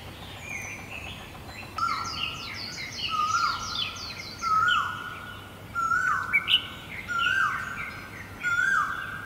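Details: Great barbet calling in Guangzhou in April 2022: a loud, mournful note that rises briefly then slides down and holds, repeated about six times at roughly 1.3-second intervals, with higher chattering and twittering from other birds.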